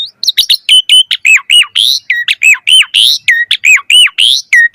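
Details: Asian pied starling in full, energetic song, used to lure other starlings: a rapid, unbroken stream of loud varied whistles, sharp upslurs and downslurs, and harsh buzzy notes, about two notes per second without pause.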